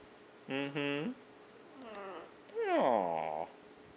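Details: A pet macaw talking indoors, with rich harmonic, speech-like syllables: two clipped notes, then a soft murmur, then a longer falling-and-rising drawn-out word.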